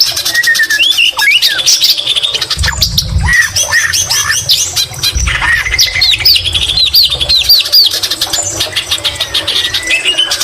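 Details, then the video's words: Song of a white-rumped shama carrying greater green leafbird mimicry, delivered nonstop: rapid high chattering with scattered downslurred whistles, then a run of upswept bright notes and a long level whistle, with faint low thumps. "Murai batu isian cucak ijo Gacor Mewah"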